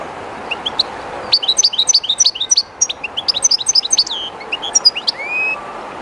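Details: A captive European goldfinch kept by its owner, somewhat shy in an unfamiliar spot right beside the flowing Jerte River, sings a fast twittering run of high, sharp notes and short trills, ending in rising whistles. Steady river rush underneath.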